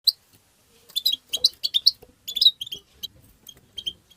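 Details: European goldfinch twittering, offered to stimulate other goldfinches: bursts of bright, tinkling chirps clustered between one and two and a half seconds, then scattered single notes fading toward the end.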